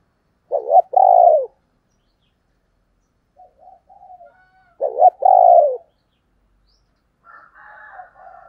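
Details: 'Thổ đồng'-voiced female spotted dove, a lure for wild males: two well-spaced phrases, each a brief clipped note followed by a long descending coo, with soft warbling notes between and after.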